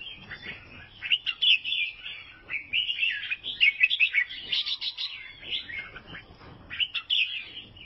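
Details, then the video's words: Sustained twittering of an albino sooty-headed bulbul, Vietnam: a near-continuous stream of bright, slurred whistles and chirps, loudest in the middle, then trailing off into softer phrases. "KICAUAN BURUNG KUTILANG ALBINO"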